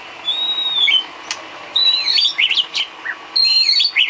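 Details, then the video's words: White-rumped shama filler song for training cage birds: long clear whistles, some level and some swooping, mixed with twisting rising and falling whistled notes and brief pauses between phrases. "Isian kicau burung murai batu"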